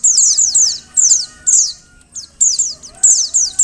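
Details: High, thin downward-slurred notes from a female Oriental white-eye, a call said to make males sing, delivered in short bursts of two or three with a pause midway; faint steady tone underneath.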